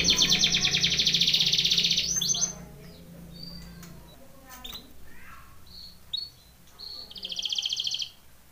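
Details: Belgian canary singing a training song: a long, loud, fast trill for about two seconds, then scattered short chirps and whistles, ending with a brief trill burst.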